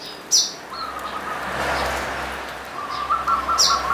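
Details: Perkutut, a local zebra dove of the punden type from Mount Slamet's slopes, Banyumas, delivering trilled cooing phrases. A longer rippling phrase is followed by a second after a pause, and loud high chirps from another bird sound at the start and end.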